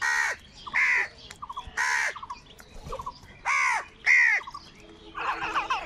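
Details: Loud, grating caws from angry crows competing for food come singly about every half second to one second, with faint chirps and a brief chattering burst at the close.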